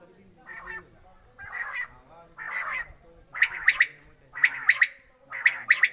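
A quail gives rough, burry phrases about once a second, later sharpening into clipped three-note calls, over a low background murmur.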